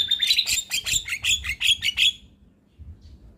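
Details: Active Javan myna giving a fast series of about a dozen bright, sharp chirps over two seconds, then falling quiet.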